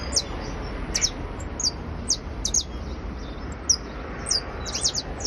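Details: Criollo basto canary trilling: sparse, very high, thin downward-slurred notes scattered across the stretch, some in quick pairs, over a steady low background hum.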